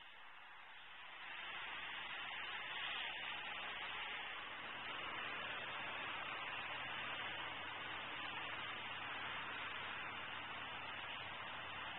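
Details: Steady broadband hiss, like wind or static, fills the recording with no animal calls.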